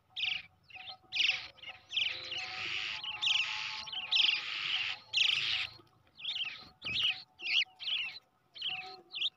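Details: Hand-raised Brown shrike chick, reared from the egg, begging: harsh, raspy bursts of noisy calls in quick series, then shorter, sharper chirps with brief gaps. A faint steady low hum runs underneath.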